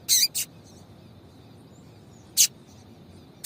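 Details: A female yellow-bellied seedeater gives calls meant to stimulate the male: a quick pair of raspy chips, a pause of two seconds, then another chip and the start of a fourth, with a steady high hum behind.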